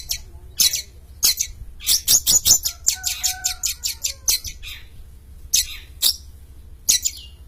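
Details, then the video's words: Champion long-tailed shrike in lively song: rapid bursts of short, sharp, high chirps in quick runs, with a few soft lower whistles in the middle and spaced chirps at the end. "Suara Kicau Burung cendet juara Gacor"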